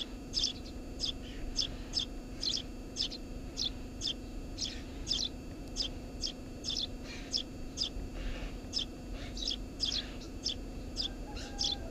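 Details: Eurasian tree sparrow nesting under a house roof: a long run of clipped high chirps, about two per second, fairly regular, with a steady low hum in the background.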